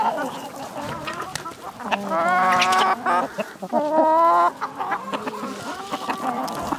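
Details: Village chickens clucking loudly at close range: harmonic, nasal bursts swell into two drawn-out squawking phrases in the middle, with scattered short clucks and light background chatter around them.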